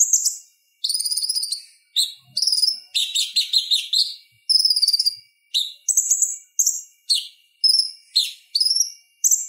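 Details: Purple-throated sunbird song, the konin's chatter played as a tutor for other songbirds: many short, very high sharp phrases, rising flicks and brief rattles delivered in quick succession with tiny gaps.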